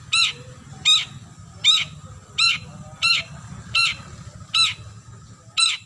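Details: Long-tailed shrike calling a rival with a steady series of eight harsh, grating notes, roughly one every 0.7 seconds, over a low rumbling hum.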